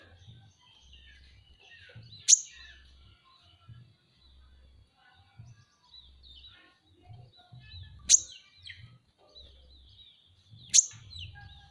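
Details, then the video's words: Van Hasselt's sunbird, a pet songbird locally called kolibri ninja, utters three isolated piercing high chirps several seconds apart, with soft high twittering and a low background hum between them. "masteran KONIN dacok ngobra ngobra"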